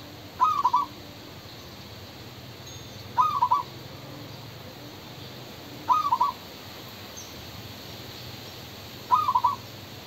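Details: Male spotted dove calling, a short phrase of soft mid-pitched coos repeated about every three seconds, four phrases in all, over a steady background hiss.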